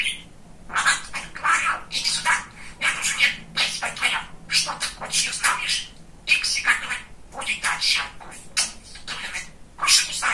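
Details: Very talkative pet male budgerigar chattering indoors, with a long stream of fast, high, buzzy imitated words and phrases broken by tiny pauses.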